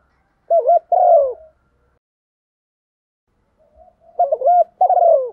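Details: Spotted dove decoy calling the flock in the morning: a wavering coo with a longer falling note, a pause of a couple of seconds, then a soft lead-in and the same double phrase again.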